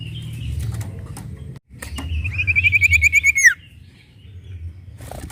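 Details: Sooty-headed bulbul song played to provoke other birds into calling: a fast, even series of bright notes that speeds up into a short trill and ends on a quick downward slur, with scattered clicks and knocks around it.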